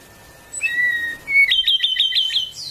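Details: Song of the Ryukyu robin, an endangered Okinawan endemic: a sustained level whistle, a brief higher note, then a fast string of ringing, evenly spaced chipped notes ending in a high thin rise.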